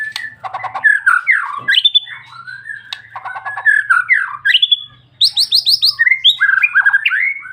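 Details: White-rumped shama in long-rolling song, a dense, continuous stream of rich whistles, chattering runs and rapid repeated note bursts, with a steady low hum beneath.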